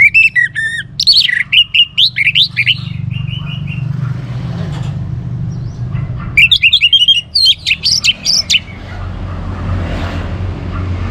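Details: Orange-headed thrush pouring out rich, fast whistled phrases in two long outbursts, notes leaping up and down, separated by a quieter gap. Steady low rumble underneath. Meant to stimulate other birds to sing.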